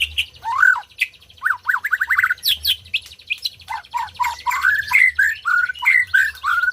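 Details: Energetic white-rumped shama song, played to set silent birds singing. Scratchy upward sweeps and buzzy bursts run into a quick chain of rising whistled notes near the end.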